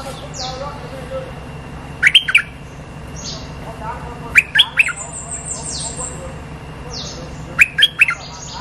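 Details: Streak-eared bulbul lure sound meant to bring in the territory holder: short bursts of three quick, bright chirps, spaced a few seconds apart, over a steady hiss of background noise.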